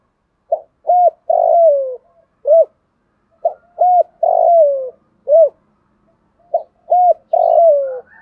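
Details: Spotted dove used as a decoy bird, calling to lure others: three clear cooing phrases, each a pair of short hoots followed by a longer slurred coo that falls away, repeated about every three seconds in a quiet room.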